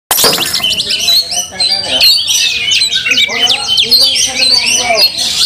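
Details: Oriental magpie-robins in a fight, angry and fanning their tails, provoking another bird to grow fiercer; dense high scratchy warbles and harsh squawks overlap throughout, with a few lower harmonic squawks mid-clip.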